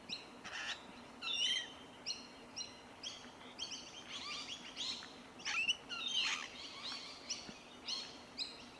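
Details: Rainbow lorikeets eating tree violet berries in Melbourne, Australia, January 2021, giving rasping screeches and chattery squawks in quick irregular bursts, several callers overlapping.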